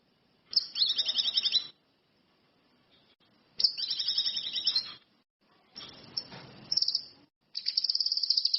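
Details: An orange-headed thrush delivers high, rapid phrases: two buzzy trills on two pitches about a second long each, a softer noisy passage with a brief chirp, then a quick run of repeated sharp notes.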